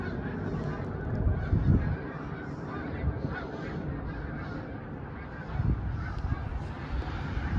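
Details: Massed snow geese honking nonstop, a thick wall of overlapping nasal calls with louder bursts near the start and end, over heavy low-pitched background rumble.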